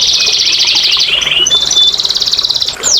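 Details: Canary song meant to prompt lazy canaries: a steady high buzzy roll that shifts pitch once, finishing with a single sharp downward-sweeping whistle.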